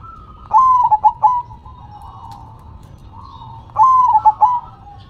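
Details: A perkutut (zebra dove) performing its song while shaking its head gives two crisp, broken phrases of soft, hollow coos about three seconds apart. A faint, continuous cooing hum lies beneath.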